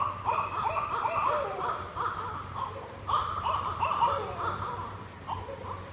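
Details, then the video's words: Barred owls call to each other along the Shoal River in northwest Florida, trading a wild, overlapping run of whooping, cackling mid-pitched hoots in rapid rising and falling bursts over a faint low hum. "Barred Owl Sounds"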